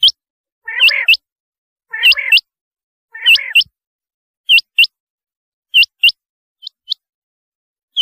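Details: Rain quail giving paired, hooked, whistle-like notes, the first three pairs overlapping a lower, buzzy warble. Later pairs are clean, spaced about a second apart.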